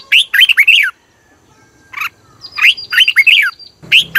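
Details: Red-whiskered bulbul from Thailand, song played to rouse caged birds: lively rippling phrases of looping notes, a brief lone note, a faint thin whistle, and a low hum at the end.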